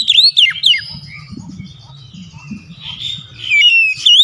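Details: Oriental magpie-robin song used as a lure to get a reluctant bird singing: loud, sweeping whistled notes rising and dropping sharply, opening and closing the stretch, with a low indoor murmur and faint chatter between.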